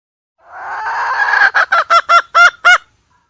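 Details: Hen call used to attract birds to a trap: a rising, rough drawn note, then about six loud clipped honks in quick succession.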